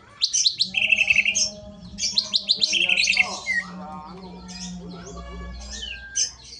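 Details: Caged greater green leafbird delivering harsh rapid phrases: clusters of buzzy, chattering notes and a few brief whistles in two strong bursts, then softer scattered notes over a constant low hum.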